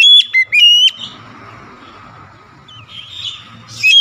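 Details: An excited Oriental magpie-robin delivers a few sharp whistled notes. A quiet pause with faint background hum follows, then soft twittering and another whistle at the end.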